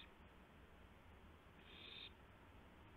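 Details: A single harsh, hissing screech of about half a second from an owl as it brings a gopher to its mate at 2:51 AM on April 2, 2016. Low continuous background noise.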